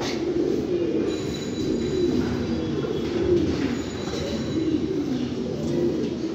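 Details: Many fancy pigeons coo in a deep, throbbing chorus, phrases swelling and overlapping steadily, with a faint high thin tone in the background.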